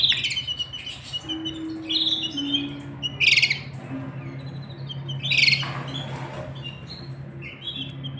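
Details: Caged canaries, male and female with chicks in the nest being fed; scattered sharp high chirps and a few harsh squawky bursts spread across the recording, with a constant low mechanical hum beneath.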